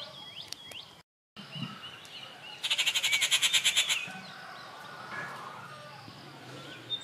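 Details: Rufous treepie calling at Kattupadi on 19 June 2021: a loud harsh rattle of about fourteen rapid buzzy pulses lasting over a second, with thin whistles of other birds before and after.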